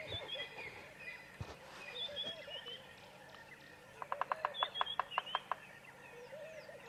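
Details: Bearded woodpecker drumming in the distance on an African bush safari drive at sunrise, 1 April 2017: a rapid roll of about ten sharp knocks over a second and a half, a territorial signal rather than feeding. Other birds whistle and chatter throughout.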